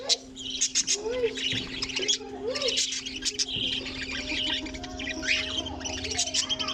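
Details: Colony of budgerigars housed together with cockatiels, giving busy high chirping and squeaky warbles from several birds at once, plus a few lower rising-falling whistled notes, over a constant low electrical hum.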